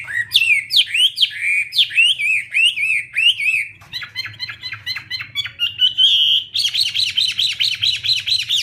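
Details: Wambi in full active song: quick chains of slurred, twisting whistled notes, then shorter chipping phrases and a bright sustained note, closing with rapid repeated rising whistles; faint low hum throughout.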